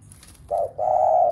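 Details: Spotted dove cooing to stir other doves at home into cooing: a short low note followed by a longer, steady, hollow coo, with faint background noise.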